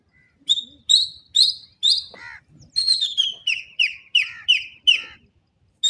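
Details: A pair of partridges, named as dakhni titer and irani teetar, calling in a quick run of loud, clipped high notes. About ten sharp notes come in series, with one lower, grating note partway through.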